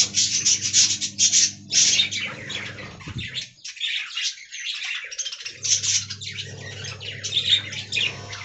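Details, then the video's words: Aviary colony of budgerigars chattering: rapid high tweets and buzzy warbles crowd together, drop to a short near-quiet gap mid-way, then resume over a constant low hum. "Budgie Talking"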